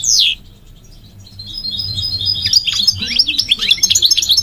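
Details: Migratory goldfinch opening with a loud falling note, a quiet gap, then building into a busy high twittering warble.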